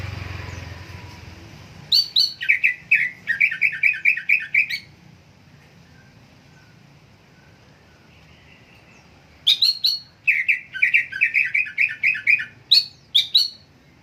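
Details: Greater green leafbird, a vocal kept songbird, giving two bursts of clear whistled notes: a couple of high sharp notes followed by a rapid string of repeated lower chirps, with quiet gaps between bursts.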